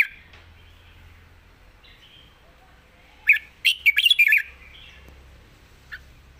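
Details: Lively, slurred whistles from a red-whiskered bulbul form one rich phrase of about six notes, followed by a lone short chirp. The bird is said to sing readily with appealing phrasing, and there is a faint low hum.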